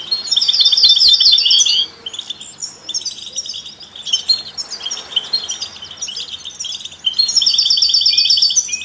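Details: European goldfinch among canaries and mules, singing to stimulate other songbirds; loud, fast trilled phrase at the start and again near the end, with softer overlapping twitters in between.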